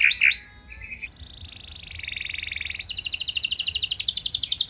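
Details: Canary song beginning with a few sharp notes, then a long steady buzzing roll that slides lower, followed by a fast high-pitched rattling trill.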